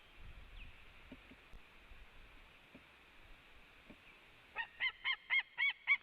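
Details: A white-tailed eagle calls at its nest in Latvia, filmed by webcam on 17 July 2017 around 17:54 while a pair comes and goes. Faint rustling is followed by a loud series of six harsh, yelping notes, about four per second.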